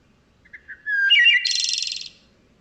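A Wood Thrush sings one phrase: two soft introductory notes, then a clear, flutey middle phrase that breaks into a high, shimmering, buzzy trill. The background is quiet.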